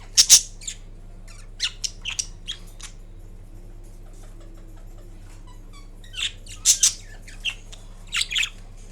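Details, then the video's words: A green pet Indian ringneck parakeet napping indoors gives scattered bursts of high, scratchy squawks and chirps, clustered near the start and again after a long quiet spell, with a low steady hum underneath. "Kiwi Indian Ringneck Parrot Making Different Sounds While Napping"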